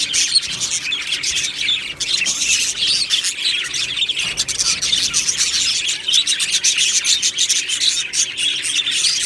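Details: Budgies calling together in a colony aviary, 1 July 2025: dense high chirping and twittering from many birds, with sharp clicks and squeaks running throughout.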